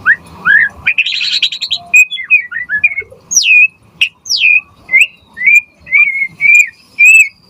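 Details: White-rumped shama in full song, meant as a lure and master recording for other shamas: rising whistles, a buzzy rattle, then sharp downslurred high notes repeated about twice a second.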